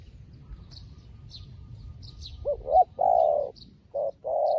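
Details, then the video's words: A new decoy spotted dove luring wild doves; after quiet high chirps from small birds, a rising double note leads into a long hollow coo, then a short-long coo pair. "លលកថ្មីមែន តែធ្វើហៅព្រៃដូចធ្នាក់ចាស់"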